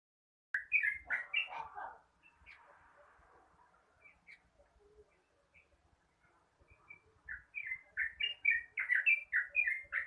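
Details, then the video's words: Yellow-vented bulbul singing a long rapid morning song, played to stimulate other birds to sing: a burst of bubbly, warbled phrases, a quiet pause with faint background hiss, then fast chattering phrases resuming and tumbling together. "Suara trucukan ropel panjang di pagi hari_Pancingan trucukan agar rajin ropel"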